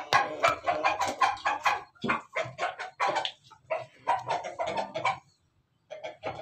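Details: Pelung chicken with a laughing crow: dense rapid chattering syllables in uneven bursts over about five seconds, a short silence, then the chatter resuming, with a faint low hum underneath.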